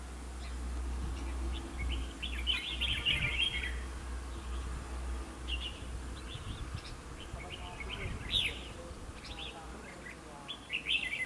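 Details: Red-whiskered bulbul singing at a decoy fighting trap: scattered short, chirpy warbled phrases every second or two, mixed with rustling and handling noise and a low background hum.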